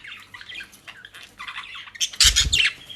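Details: Pet budgerigars in South Holland, Netherlands, eating shop-bought dry leaves and grass. Scratchy warbling chatter runs throughout, ending in a loud harsh squawk burst over a thump of rustling movement.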